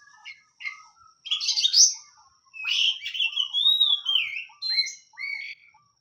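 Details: Song of a kacer, the oriental magpie-robin, in a bird-keeping context: bright whistled phrases mixing harsh buzzy notes with long sweeping slurred whistles that rise and dip, delivered in quick bursts.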